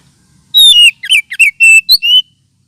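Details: Whistled lure call of an oriental magpie-robin, also played as therapy for birds lacking aggression: about seven sharp, loud notes in quick succession, a mix of downward slurs and steady whistles, ending on a rising note.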